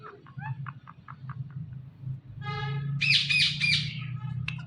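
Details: Indian ringneck parrot talking, repeating short harmonic syllables at a quick pace, then a loud harsh squawk near the end, over a steady low hum.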